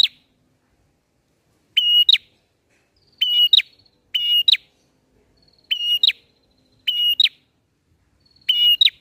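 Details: 'Ngalun' song of a bar-winged prinia, used to lure birds for capture: shrill, even whistles, each closing with an abrupt upward note, six phrases spaced roughly every one and a half seconds after a short pause.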